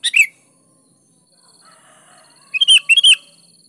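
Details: Sooty-headed bulbul in lively gacor singing, a recording meant to lure reluctant bulbuls into answering: a short bright note, a pause, then a quick bubbly burst of whistled notes near the end.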